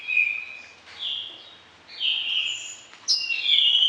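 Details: Orange-headed thrush with varied fill-in song phrases, used for tutoring other birds at morning and evening: clear drawn-out whistles, some sliding, alternating at high and mid pitch with short pauses.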